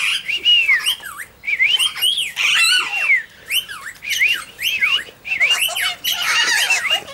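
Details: Major Mitchell's cockatoos, dancing alongside an Eastern Rosella at a tourist park in Junee on 5 June 2015, give harsh, wavering squawks that rise and fall, several birds calling over one another almost without pause.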